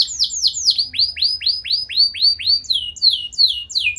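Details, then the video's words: Canary song meant to draw other canaries into song: a sequence of rounded rising whistles in an even series, followed by higher sharper notes, clear and bright. "Kenari Gacor Nembak Panjang Cengkok Mewah! Bikin Emosi Kenari lain Naik Langsung Nyaut Ikut Gacor"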